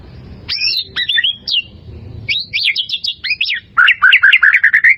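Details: White-rumped shama song for training caged birds, with bursts of quick rattling trills and buzzy chattering phrases, ending in a fast repeated series of chirps.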